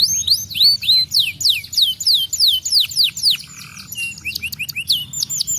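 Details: Domestic canary singing a lively song used as a lure: rapid series of high swept whistles, repeated downslurred notes about three per second, buzzy trills and short rattles, with a faint low hum underneath.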